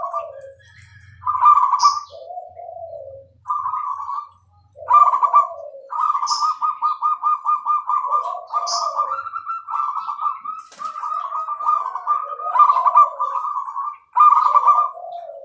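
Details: Zebra dove, Bangkok-type perkutut, in a clear, vigorous song: repeated rapid pulsed cooing trills around one kilohertz alternating with lower descending gurgles, one long run of evenly spaced beats in the middle, brief high sharp ticks scattered throughout.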